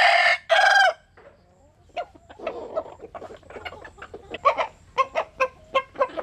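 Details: Japanese and Cuban bantam chickens sunbathing: two loud harsh crowing bursts open, then a quiet pause before rapid short clucks repeat nearly twice a second.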